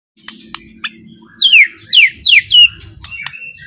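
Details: White-rumped shama singing softly and slowly to provoke other shamas into singing, with three loud descending whistled slurs in the middle, preceded and followed by short sharp clicks and chips.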